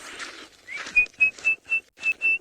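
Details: An Orange-breasted Bushshrike in a lush, thick drainage line on a safari reserve gives a run of six clear, even whistles, one every third of a second, after a brief patch of murmuring voices.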